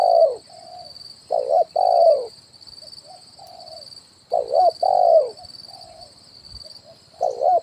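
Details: Decoy spotted dove, kuk 1 call used to draw in wild birds, on branch and ground: paired loud coos, wavering then sustained, recurring about every three seconds with faint softer coos between and a continuous high whine.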